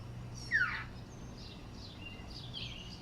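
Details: A male Northern mockingbird perched on a house roof in Yukon, Oklahoma, gives calls rather than song, which the owner thinks guard a nearby nest: one sharp, down-slurred note, then fainter high chirps over a low hum.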